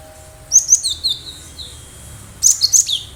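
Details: Wild cinereous tit singing actively, a recording used as a lure to draw other birds into responding; two clusters of sharp, high chirps and short whistled notes, the second burst after a quiet gap, over faint low background hum.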